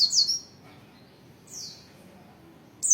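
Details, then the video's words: Oriental white-eye giving a 'materi rapat' style song in short spurts: three brief bursts of very high, thin descending chirps separated by quiet gaps of about a second. "Kicauan pleci materi rapat"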